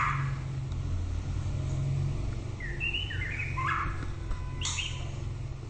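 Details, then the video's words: Shama song with rapid warbled whistles and twisting notes bunched in the middle, a short burst near the end, over persistent low traffic-like hum. "Chòe lửa bông tới nái /shama bird/murai batu/白腰鹊鸲/บินหลาดง/"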